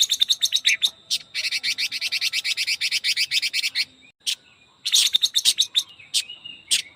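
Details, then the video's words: Chinese hwamei in fast song: dense bursts of rapid, scratchy high notes repeated in quick runs, broken by short pauses and a few sharp separate chips. "Chim quế lâm hót ché kích bổi siêu nhanh"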